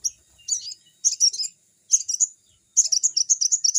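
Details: Lively sogon (crimson sunbird) song meant to train young birds, forest-like: short squeaky high twitters in quick clusters, ending in a fast run of evenly repeated sharp notes.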